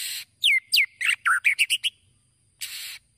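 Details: White-rumped shama singing to provoke other birds into quick response: a fast sequence of sharp descending whistled notes and chirps, followed after a brief pause by one harsh burst.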